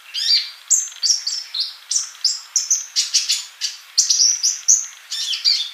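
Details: Kolibri (sunbird) in full, vigorous song: a steady run of bright, high, slurred chirps, roughly three per second, some dropping in pitch, with no pauses.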